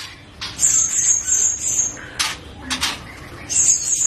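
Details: Juvenile Medan white-rumped shama in gacor form giving thin, high, hissing song notes in drawn-out runs, broken by sharp broadband clicks and short harsh bursts.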